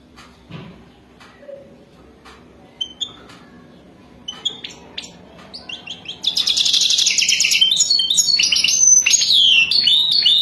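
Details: European goldfinch in mating song, described as wadani. Scattered high clicks and chirps give way to a rich, sustained outpouring of rapid twittering, liquid trills and slurred falling notes that continues strongly to the end.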